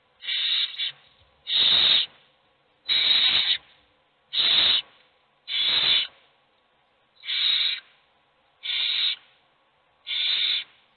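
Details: A brood of hungry owl chicks in a nest box keeps up rapid rasping, hiss-like begging screeches, eight in eleven seconds, some louder and some fainter as several chicks call.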